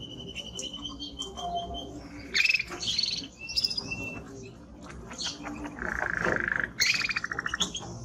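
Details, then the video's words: Strong-singing timbrado canary with a varied song of high chirps and short whistles, then a long low rolled trill followed by fast high notes. "Canary singing Strong Bird - ذكر كناري تغريد نار"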